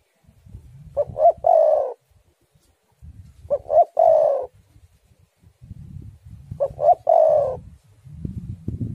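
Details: Spotted dove song used as a lure to start doves singing: three phrases of two short coos and a longer vibrating coo, about every three seconds, over steady low rumbling background noise.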